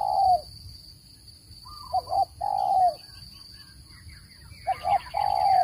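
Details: Spotted dove call used as a trap lure: a falling coo, then after a gap two more double-short, long-falling phrases, with faint chirping birds and a constant high electronic tone.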